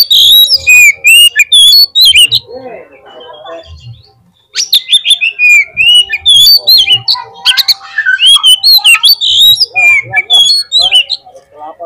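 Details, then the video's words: Long, lively Oriental magpie-robin lure song for prompting a bird to sing: dense streams of loud whistled and chipping notes, a short softer pause, then renewed rapid varied phrases with sharp clicks. "PANCINGAN KACER GACOR 30 MENIT AUTO MONCER DI LAPANGAN"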